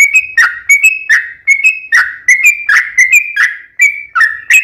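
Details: A yellow-vented bulbul sings a long rapid song used to draw other bulbuls into singing: bright short whistles, each with a clicking start, some falling in pitch, in quick uneven bursts.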